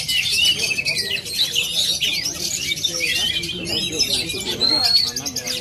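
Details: Native Aceh oriental magpie-robin pouring out varied high warbles, rising slurs and sharp chips, ending with a clear sustained whistle.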